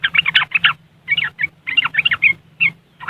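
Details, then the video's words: Yellow-vented bulbul from West Java, Indonesia, singing its riwikan chatter, used as a lure for caged birds; taken on an Android phone. Bursts of scratchy, jumbled notes come in quick clusters separated by short pauses, with a faint low hum underneath. "Suara Riwikan Burung Trucuk Sangat Jos Buat Pancingan"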